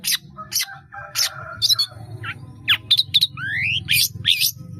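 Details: Caged long-tailed shrike giving varied song full of imitated phrases: harsh rasps, short whistles and a pair of rising slurred whistles near the end, over a steady low rumble.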